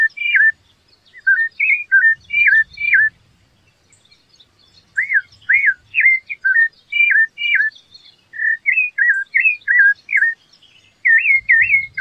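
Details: Rufous-bellied thrush in song, delivering bright whistled notes in rapid strings, each slurring upward or downward, grouped into bursts separated by short silences; faint low thumps in the background.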